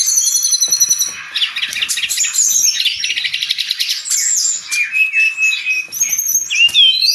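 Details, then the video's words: Brown-chested jungle flycatcher, a cage bird in lively song used for training: dense rapid chattering trills and scratchy notes, then clear whistled upslurs and long level whistles toward the end. "Suara burung sikatan rimba"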